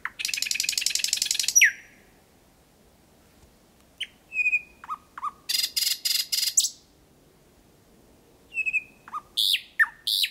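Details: Thrush nightingale in full song at night, 8 May 2020, Kiili parish, Estonia, sung 4–5 m from the recorder at 01:23; a long dry rattling trill, silence, then bursts of harsh churring and sharp whistled notes.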